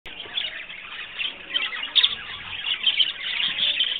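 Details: Several pet budgerigars being given a salt dose chatter with a steady stream of high, scratchy chirps and warbles.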